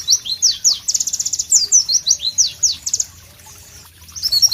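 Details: White-eye, called Pleci, singing sharp high whistled notes and a quick trill for about three seconds, then a short pause before the song restarts.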